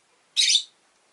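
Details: A single harsh, rasping chirp lasting about a third of a second from one of five caged rosy-faced lovebirds kept indoors by a window.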